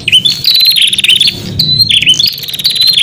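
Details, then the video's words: Prinia lure song for wild birds: a high note dipping sharply, then quick buzzy stuttering trills, with a low rumble faintly beneath. "Suara Pikat Burung Prenjak Untuk panggilan Prenjak Liar"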